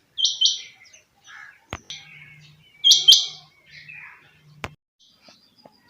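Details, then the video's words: Kept rain quail (chinga batair) calling: two loud, sharp paired notes, each a quick doubled burst, about three seconds apart, between faint scattered chirps, a few sharp clicks and a low hum. "my rain quail sound effect chinga batair ki awaz"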